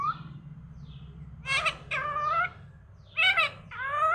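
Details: Morning talking parrot giving voice-like harmonic utterances, four drawn-out syllables in two pairs with long gaps, over a low background hum.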